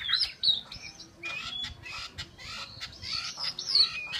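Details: Captive Chinese hwamei singing rough, harsh phrases mixed with brief high whistles, delivered in uneven bursts.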